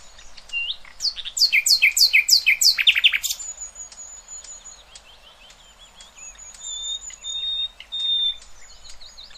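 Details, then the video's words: Nightingale song used as a tutor recording for young goldfinches and goldfinch hybrids: a loud, rapid series of repeated sharp notes, then a quieter stretch of long, thin, high whistles and scattered chips. "اقوى تغريد طائر العندليب"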